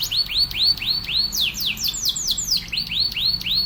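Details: Canary training song for teaching other canaries: fast, rolling series of rising upswept chirps about four per second, switching midway to a run of higher falling notes, then back to the rising chirps.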